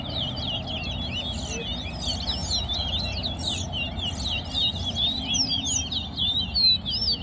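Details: Competition singing from a chestnut-bellied seed finch (towa-towa): a long, dense run of rapid high chirps and twittering slurred notes, nearly continuous, while a voice counts numbers and low noise rumbles underneath.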